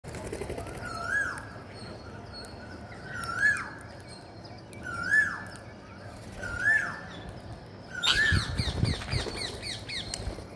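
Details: Green parakeet at feeding time giving a series of arched, rising-then-falling tonal calls roughly every one and a half seconds, with a burst of broad rustling noise near the end.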